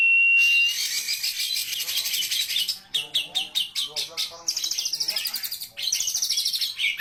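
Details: Oriental magpie-robin song packed with varied material: a clear whistle, then fast buzzy rattles and rapid repeated chipping notes delivered at about three per second, followed by more dense twittering phrases.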